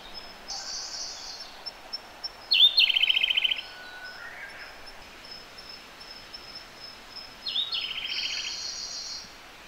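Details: In a gorge, a Siberian blue robin sings nearby: a high introductory note drops into a loud rattling trill, then a quieter pause, then another similar high note and trill, against a constant thin repeated high background note.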